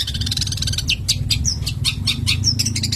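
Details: Long-tailed shrike in strong breeding condition, singing a rapid run of sharp, high chirps and short downward-sweeping whistles, steady and unbroken for three seconds, over a low hum.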